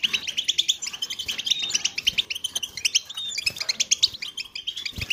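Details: European goldfinches in collective twittering aimed at making males sing: fast, high, metallic chirps and short trills pouring out continuously from several birds.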